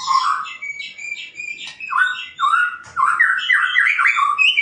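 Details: White-rumped shama singing: a varied run of clear whistled phrases, some steady and some sliding, with quick rising and falling notes packed toward the end and a couple of brief clicks.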